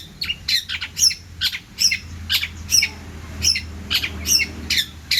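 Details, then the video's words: Energetic long-tailed shrike song packed with varied phrases, used to tutor other birds: short scratchy squawks and bright high chips repeated at an irregular quick pace, a faint low hum behind. "CENDET GACOR ISIAN MELIMPAH!!"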